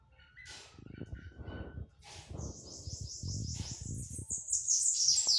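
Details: Sibite singing 'batidas de pitiú' over noticeable low handling or shuffling noise: a faint high buzzy trill starting midway that builds into louder rapid descending notes near the end.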